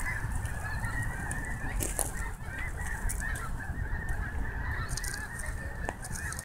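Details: Many snow geese calling together at Snohomish, an unbroken wall of honking voices with a few louder sharp notes standing out, over a constant low rumble.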